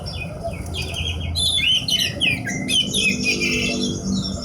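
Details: Horsfield's bush lark, a kept songbird, pouring out rapid varied phrases: high twitters, rising and falling whistled slurs and chattering notes, continuous over low background noise.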